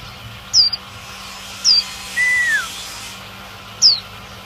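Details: Female Oriental white-eye call meant to stimulate males: three short, very high down-slurred notes, plus one lower arched whistle in the middle, with a steady low hum underneath.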